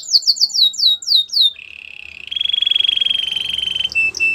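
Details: Belgian canary song with several quick descending whistled sweeps, then a long rapid buzzy trill held at one pitch for over two seconds, ending with short sharp high notes.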